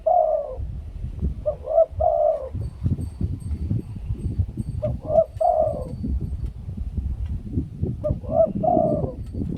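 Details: Spotted dove kept as a decoy in Thailand, cooing steadily in the "2 kuk khu-ang" style: four deep phrases of short notes and drawn-out hollow coos in under ten seconds, over constant low rumble.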